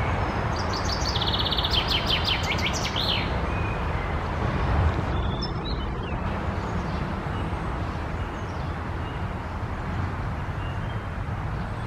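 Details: A male chaffinch on 24 May 2021, catching insects between songs, gives one bright song, a quick run of high notes dropping to a flourish, followed by a few faint high notes over a steady low rumble of wind or traffic.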